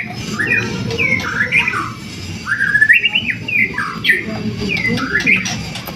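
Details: White-rumped shama song used as a lure to provoke other birds into singing: varied whistled phrases with rising and falling slurs, short bursts separated by brief pauses, over a steady low background hum.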